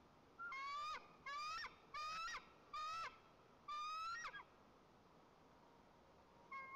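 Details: At a white-tailed eagle nest in Lower Kama National Park, Tatarstan, on 30 August, the father delivers fish to the eaglet; five hoarse rising squealing calls follow each other about once per second, recorded by nest camera.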